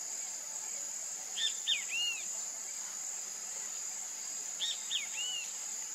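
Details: Bem-te-vi, the great kiskadee, calling twice: each phrase is two quick clipped notes followed by a drawn-out falling slur, several seconds apart, against a constant shrill insect hum.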